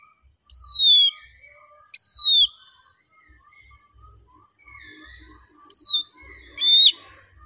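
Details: Oriental magpie-robin (kacer) in relaxed song, giving spaced clear whistles that slide downward, repeated every second or so, with soft quieter notes and a faint low hum between.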